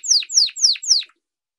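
A canary sings a quick run of four bright, high notes, each sliding sharply downward, about four per second, then stops. No other sounds.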